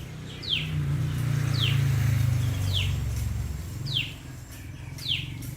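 Common tailorbird giving sharp, high, downslurred notes about once a second, five in a row, over a steady low rumble of background noise.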